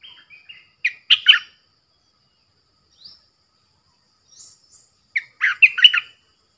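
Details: Caged decoy bulbul singing to lure wild birds, hung at two spots, wild birds coming in three times, recorded 13 April 2021; two bursts of short, bright chirpy notes, then a faint note or two in between, no other sounds.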